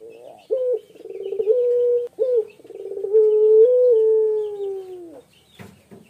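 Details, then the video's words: A male spotted dove gives short arched notes and a brief level coo, then one long wavering coo that gradually descends. A few clicks are heard at the end. "ANGGUKAN PUTER PELUNG JANTAN GACOR SUARA MENYEDIHKAN"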